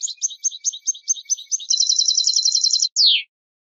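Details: European goldfinch song meant for teaching chicks: about eight quick, high twittering notes, then a fast, even, buzzy trill lasting over a second, ending in a single sharply falling note. The background is clean and quiet.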